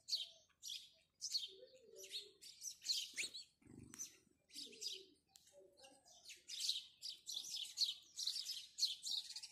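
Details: House sparrows chirping in the morning, many quick scratchy notes crowding together and growing denser toward the end, a short low rumble midway.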